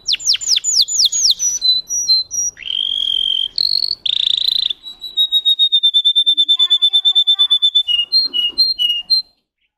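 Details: Russian canary bred for song: descending whistled sweeps, short notes, loud buzzy tones, then a long fast level trill of rapid pulses ending in scattered high notes.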